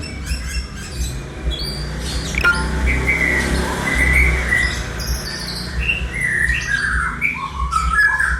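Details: Young white-rumped shama, eleven months old, mimicking a lyrebird with a sequence of varied whistled notes that step down and then rise, plus scattered higher chirps, against constant low-frequency hum.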